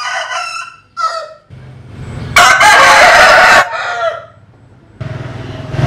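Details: Crowing from a compilation of Vietnamese and American Sil roosters: fading crow notes at the start, then one very loud, coarse, noisy crow in the middle, with background rumble before and after.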